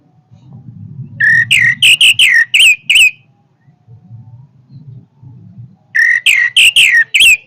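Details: Powerful song of an Orange-headed thrush: two loud phrases of quick, clipped whistled notes, some sliding downward, separated by a few seconds, over a steady low rumbling hum.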